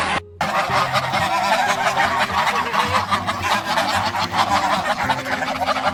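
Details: A flock of geese calling in unison: after a brief break near the start, continuous overlapping honks fill the rest, over soft steady background music.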